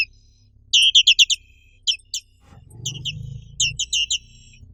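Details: Black-capped white-eye, a bird found only in Indonesia, giving quick bursts of high, sharp chirped notes in short rapid clusters, separated by brief pauses, over a faint low hum.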